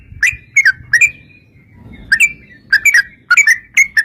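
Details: Yellow-vented bulbul (trucukan) in full voice, meant to draw replies from other bulbuls: short liquid chirps in clusters of two to four, a brief pause, then quicker bubbly bursts.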